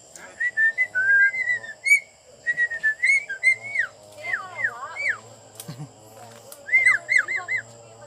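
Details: A talking Javan myna (jalak kebo) kept as a pet gives clear whistles, slurred up-and-down notes and speech-like chatter, imitating words like "Pancasila" and "selamat pagi" in uneven bursts, with a faint steady hum behind.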